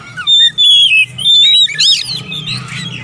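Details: Oriental magpie-robin song played to coax mute, lazy birds into singing: clear, drawn-out whistled notes, then a burst of squeaky, buzzy high twitters, with a faint low hum underneath.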